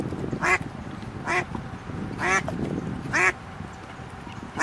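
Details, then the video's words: On a pond with ducklings, swimming ducks give five harsh quacks about 0.9 seconds apart, heard over a constant rushing, murmuring background noise. "The sound of ducks - ducklings in the pond - swimming ducks"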